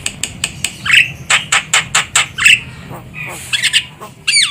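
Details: Javan myna recording used as a lure for bird trapping: a rapid series of harsh, broadband clicking squawks, roughly five per second, with a few louder rasping notes, ending in a sliding whistled phrase over a low background hum.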